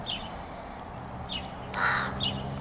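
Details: Crow perched on a garden arbor, answering a person who talks to it on a chilly evening as the sun goes down, 15 May 2017: a single harsh, broadband caw near the end, with faint thin high chirps from other birds earlier.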